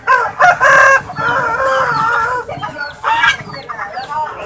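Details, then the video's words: Swans, possibly geese, give loud, nasal, honking calls that overlap in quick bursts of several notes, with brief gaps between volleys. "The Sound of SWAN"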